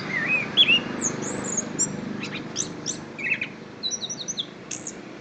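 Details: Singing orange-headed thrush, Kediri: quick bright whistles and clipped high chips in short bursts, with a brief downslurred whistle mid-way and soft noise underneath.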